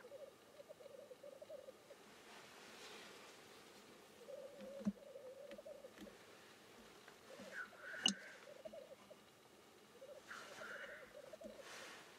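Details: Black grouse display with quieter, distant-sounding bubbling, two harsh hissing notes around eight and ten seconds, and a few sharp knocks or clicks scattered through.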